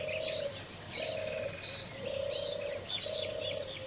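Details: Birds calling: low hollow cooing notes, each held about half a second and repeated roughly every second, under scattered high twittering chirps.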